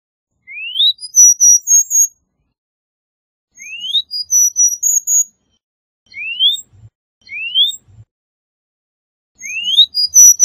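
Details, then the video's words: Cuban bullfinch phrases: a quick upslurred whistle followed by several thin high notes, the short phrase repeated about every three seconds with silent gaps between. "Negrito Cubano Cantando - Cuban Bullfinch Singing"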